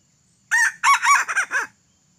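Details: Crow of a red junglefowl with tadung feathers, an escaped purchased bird, heard during decoy trapping: a rapid run of harsh broken syllables ending in a drawn-out, falling note, with the background otherwise silent.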